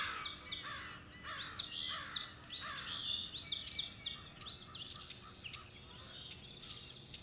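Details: Calling male osprey at Hog Island, April 2016, seeking his mate: rapid, high, slurred whistles repeat several times a second, loud at first, then fading into quieter chatter over background noise.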